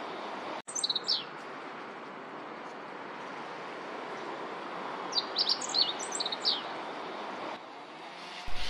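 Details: Meadow Bunting singing in early spring (2 February 2023) by a river with rape flowers blooming: two short bursts of quick, high, jumbled song notes several seconds apart, over the steady roar of a grass cutter that had just started.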